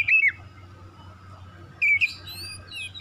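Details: Oriental magpie-robin song used to lure non-singing magpie-robins into song: two short loud whistled phrases about two seconds apart, the second followed by thin high trailing whistles.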